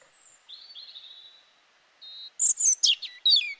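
A European robin sings thin, high wavering notes that break into quick, tumbling liquid trills.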